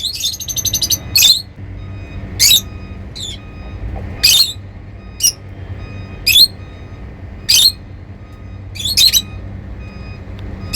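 Lovebirds give sharp, shrill squawks and chirps in short bursts every second or two, with a faint steady hum behind.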